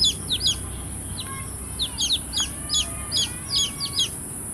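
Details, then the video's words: Baby chicks giving high, downward-slurred peeps in small clusters, somewhat irregular, with quieter faint calls and a steady low background hum. "Big Sound of Hen kids (Cute Baby Chicks Chirping Sounds)"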